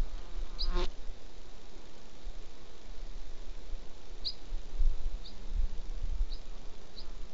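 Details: Flycatcher at the nest, Rascafría, 9 September 2016, giving faint high chip notes, one early then four more at uneven intervals of about a second, with a sharp click near the start and low rumbling noise.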